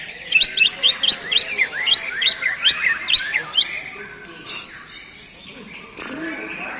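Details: Greater green leafbird song: a rapid run of bright, chirpy, down-slurred notes, about two per second, for three seconds, followed by quieter scattered sounds and a short burst of noise.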